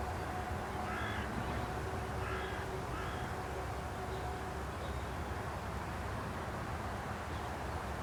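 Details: A carrion crow calling from a stake at Aranoltza, Zamudio, Bizkaia, Spain, on 12 June 2020, gives three harsh, hoarse caws in the first three seconds, then fainter calls, over a steady low rumble.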